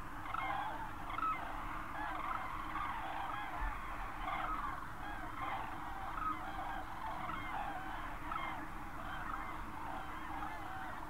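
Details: Common cranes in the Berlin surroundings, Germany, 24 October 2015, a close flock giving loud, rolling trumpet calls in overlapping waves, with pulses of louder notes over a faint low rumble.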